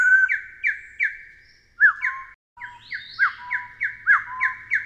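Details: Taiwan hill partridge (Arborophila crudigularis), a Taiwan endemic of dense low-to-mid-elevation forest undergrowth, gives a series of short, rising whistled notes, two or three per second, with a second overlapping series joining partway.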